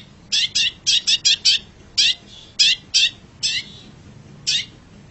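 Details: Long-tailed shrike in a masteran recording: a quick burst of sharp chipping notes, then slower single chips spaced about half a second to a second apart, fading out toward the end.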